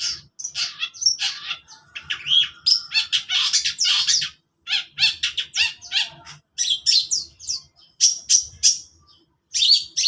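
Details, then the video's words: Long-tailed shrike singing in the morning: a dense, rapid stream of harsh, scratchy and chattering high notes mixed with short whistled slurs, delivered in bursts with brief pauses over ten seconds. "burung cendet di pagi hari"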